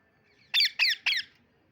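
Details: Green parrot giving three harsh, buzzy chirps in quick succession, each short and bright, spaced about a quarter second apart, over a quiet background.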